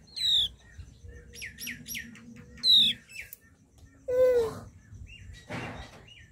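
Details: Flowerpecker calls: thin, high, descending notes repeated at intervals. Clusters of brief chirps run between them. A lower, louder, curving note near the end and a burst of broadband noise are also heard over a faint hum.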